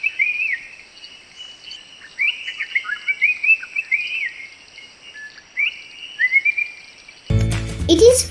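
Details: A Black-capped Bulbul, a Sri Lankan endemic of forested areas, gives short slurred chirps in quick bursts over a steady high insect hum at Hatton, Sri Lanka. The clip ends abruptly with a burst of music.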